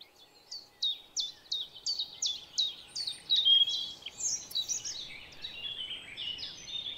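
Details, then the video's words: A young great tit, a sound heard from April to the end of June, gives a quick series of high, sharply falling chirps, about three per second, then shifts into harsher, buzzier notes. "It is also worth distinguishing the sound of a young great tit, which we can hear from April to the end of June. The"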